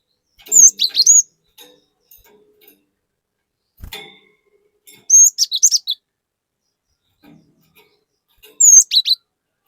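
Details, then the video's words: Cinereous tit in full lure song for untrained birds: three spaced bursts of piercing, high whistled notes with quick up-and-down slurs, each burst under a second, faint ticks between. "Pancingan Burung Glatik Batu Gacor Fariasi Glatik Bahan Auto Emosi || Glatik Batu Gacor Nembak"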